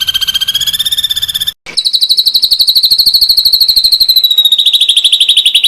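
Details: Ashy drongo, its rapid-fire tembakan song kept as a tutor recording for training cage birds. A high, dense, buzzy trill runs unbroken with a slight waver in pitch, briefly cut by a short silence, then resumes.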